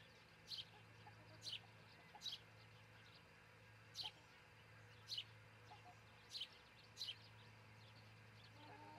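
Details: Osprey pair at their nest near treetops in Charlo, Montana, nest cam, June 22, 2018, just before dawn; seven short, high, falling chirps spaced about a second apart over a steady low electrical hum.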